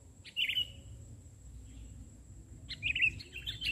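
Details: Sooty-headed bulbul (kutilang) singing from a point on the ground instead of a branch. A brief chattering burst of bright notes comes first, then after a pause a longer, fuller warbling phrase, over a faint steady hum.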